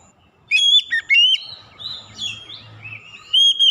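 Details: Clear song of an Oriental magpie-robin, played as a lure to get other birds singing: sweet whistled phrases, rising and falling, blending into sustained warbling tones, with a low background hum.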